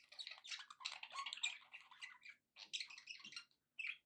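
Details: Quiet, continuous budgerigar warbling from pet birds described as happy: scratchy rapid twitters and soft squeaks running nearly unbroken, with two short gaps.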